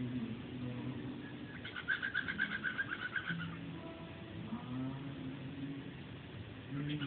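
A cockatiel mimics a toothbrush with a quick run of raspy, scrubbing pulses.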